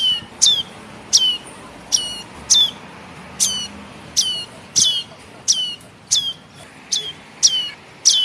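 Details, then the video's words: Young tailorbird, the red-headed prenjak, begging and used as a lure for bird trapping. Sharp, high chips fall steeply and carry ringing overtones. About twelve come in eight seconds, spaced roughly 0.7 seconds apart, over a faint steady hiss. "Suara Anak Burung Prenjak kepala Merah Atau prenjak Atas Untuk Pikat"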